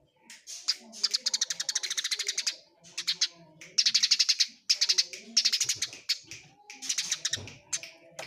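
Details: Eurasian tree sparrows in a fight, long trains of rapid scratchy chirps, each run lasting one to two seconds before a brief gap.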